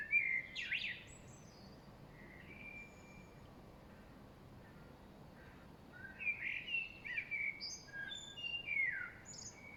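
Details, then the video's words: Spring birds chirping in the late afternoon on 5 March 2023, when a blackbird sings loudest: bright, high twittering phrases in bursts near the start and through the last four seconds, with a faint outdoor hiss between. "Spring birds chirping (birds chirping late afternoon)"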